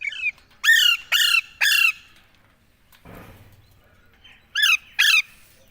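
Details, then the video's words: Parrot squawking in loud, harsh, rising bursts, three in quick succession, then a pause with a brief thud, then two more squawks. "बात करने वाले तोते || Bolne Wala Tota || parrot"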